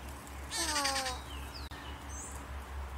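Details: Rufous-naped wren, called colchonero locally, in a duel: a short burst of harsh, descending rasping notes followed by a few thin whistled slurs, over a constant low hum.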